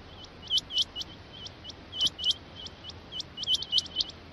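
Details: Rain quail delivering high, sharp, rising notes in close pairs and triplets, repeated throughout with steady background hiss.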